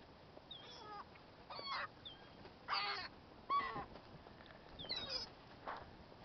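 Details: Hungry gulls calling: several loud, harmonic cries, some rising and some falling, come in bursts every second or so over a steady wash of background noise.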